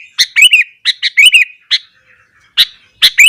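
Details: Morning song of a sooty-headed bulbul in excited full voice, meant to rile other bulbuls: short bursts of clear chirps and liquid, hooked whistles, separated by brief pauses, with a final sharp double note.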